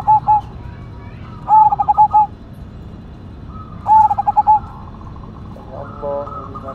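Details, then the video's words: Zebra dove, cemani majapahit variety, cooing loudly: three clear phrases of quick, stuttering, clipped notes, each phrase about half a second long and spaced a couple of seconds apart, with a low background hum. "PERKUTUT CEMANI MAJAPAHIT GACOR SUARA BESAR"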